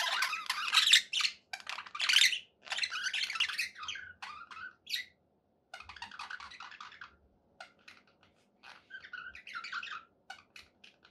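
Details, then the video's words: Happy domestic budgies: loud bursts of scratchy chattering at first, then sparser clicks, short squeaks and little whistled phrases separated by pauses, over a faint low indoor hum. "happy budgie sounds"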